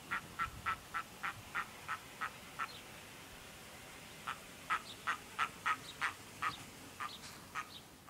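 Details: Red-throated loon (diver) calling on an August evening at 60°N: short, nasal quacking notes in quick runs of about three per second, with a brief pause between two bouts.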